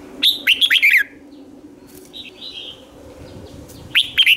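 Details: Red-whiskered bulbul lure song for attracting wild birds: a quick run of bright, slurred whistles, then a pause with a soft distant chirp before the phrase starts again, over a low steady hum.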